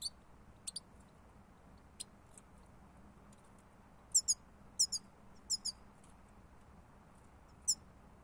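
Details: Goldfinch lure recording: sparse, sharp, high chirps, some paired, sound at uneven intervals, louder in the middle section. A low steady background hum is present.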